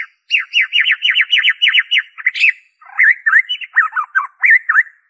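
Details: Original white-rumped shama song, free of imitated phrases, played to lure shamas into singing: a fast series of about ten repeated looping whistled notes, a brief squeak, then varied rich warbles, all on clean silence.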